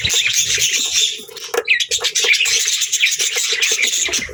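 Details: Budgie chirping in a dense, continuous chatter of high, buzzy warbles and quick clicks, several voices overlapping with a steady low hum underneath.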